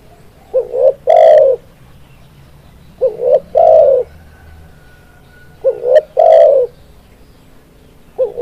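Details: Spotted dove cooing song: each phrase a short stuttered coo and a longer fuller coo, repeated roughly every two and a half seconds, with a faint steady tone in the background.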